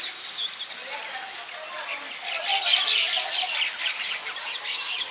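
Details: Baya weaver building a palm-tree nest in village Bengal, calling to attract a female: soft warbled notes at first, then rapid, buzzy high chatter in quick repeated bursts.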